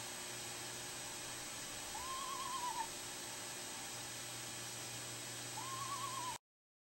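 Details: Screech owl female in duet with her mate, at the opening of a nest box with five eggs: two gentle, wavering trills about four seconds apart, against steady hiss and low hum.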